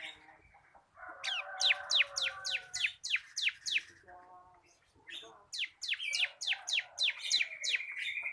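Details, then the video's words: Bar-winged prinia, a local crystal cotton-white cage bird, singing steadily as a tutor for training other birds: runs of sharp, steeply falling whistled notes, about eight in quick succession, then a pause and another run, over softer lower warbling from other birds. "BURUNG MASTERAN CIBLEK KRISTAL GACOR / CIBLEK LOKAL KAPAS SUARA NGEBREN"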